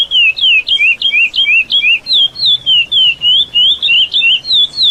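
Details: Lesser seed finch (curió), one of its best songs, used to train a young bird: clear, sweet whistled notes slurring down and up, delivered quickly and steadily about three times a second, with a quiet background.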